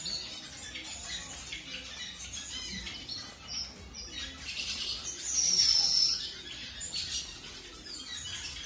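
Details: Mutation-coloured zebra finch meeting a new mate: quick high chirps repeated several times a second, louder near the middle with a thin whistled note, against soft background noise.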